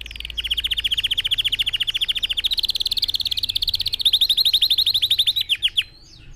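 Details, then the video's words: Red factor canary singing as a model for other birds learning song: long rolling trills of rapid, even pulses, shifting slightly higher in pitch midway, closing with slower, separate downslurred notes. "Canary-Xem video này cho chim yến của bạn tập hót|Red Factor Canary Singing"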